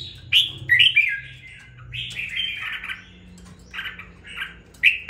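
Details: After two weeks in captivity a red-whiskered bulbul sings with rising spirit, giving quick whistled warbles, a longer slurred descending phrase, then more bright notes, over a low steady hum indoors.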